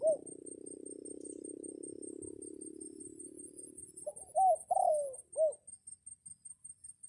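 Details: Red junglefowl, a decoy rooster crowing to call in wild junglefowl during rainy weather; after a long steady low rushing noise comes one short, loud, four-part crow with clipped rising and falling notes, then quiet faint ticking.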